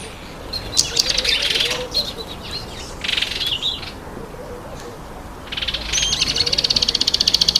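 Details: Speckled mousebirds eating an apple give high, scratchy twittering chatter in short bursts, ending in a fast run of buzzy, evenly pulsed notes.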